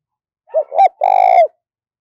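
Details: Spotted dove decoy bird, cooing hard to provoke wild birds: a quick pair of soft hollow notes followed by a drawn-out, slightly buzzy coo that falls at the end, with no other sounds.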